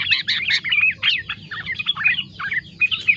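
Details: Yellow-vented bulbul song with inserted green leafbird (cicak ijo) phrases, dense chattering bursts of quick slurred chirps and sharp whistled accents delivered almost without pause.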